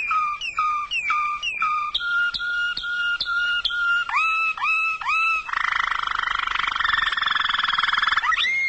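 A Waterslager canary sings clear, falling whistled notes, then a long, rich, bubbling roll.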